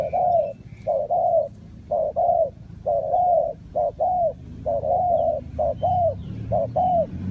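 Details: Repeated spotted dove cooing from Ninh Thuận, Vietnam, in a bird-trapping setting: about a dozen mellow, slightly falling coo notes in uneven pairs and singles, roughly one per second, against low background rumble and faint high chirps.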